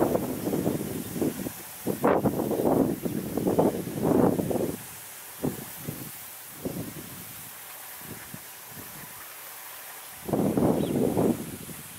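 Gusts of wind and rustling come in bursts, with quieter stretches between and no animal voice.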